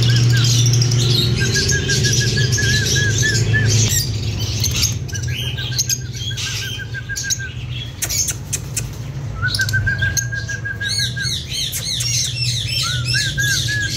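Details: A breeding pair of lovebirds chirps and sings in short trilled phrases, repeated, ending in a quick burst of sharp, arching high chirps. A loud low hum runs throughout.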